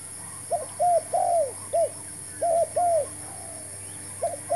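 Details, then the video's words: Spotted dove, a new decoy set out to lure wild doves into a trap; paired arching coos in short bursts with pauses, backed by a constant high-pitched hum. "MEMIKAT TERKUKUR"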